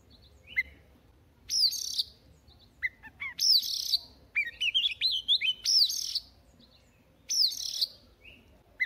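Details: Each morning this newly caught wild Oriental magpie-robin practises its song. Downslurred whistles and harsh buzzy notes come in short loud bursts, and a rapid chain of rising whistles falls mid-sequence.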